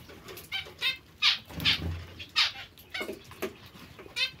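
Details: Pet zebra finches uttering loud nasal honking calls about twice a second, each with stacked harmonics, over low background rumble.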